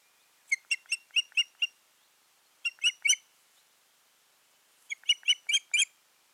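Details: At the nest in June 2019, a pair of Ospreys utter three groups of sharp high chirps, six, three and five notes, with brief silence between.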